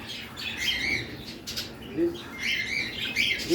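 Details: A cockatiel fusses for chips with harsh, scratchy squawks and short high chirps.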